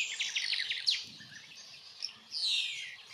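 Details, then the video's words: European bee-eater (Merops apiaster) in Extremadura, where it arrives in spring, gives a quick series of short rolling chirps, then a longer liquid trill sliding downward; faint chatter of other birds behind. "ABEJARUCO EUROPEO European Bee-eater"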